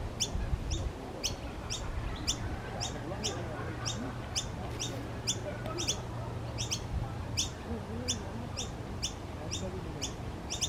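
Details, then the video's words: Noisy miner giving sharp, high chipping notes about twice a second, over a low hum and background rumble with faint voices. "Noisy miner bird making sounds"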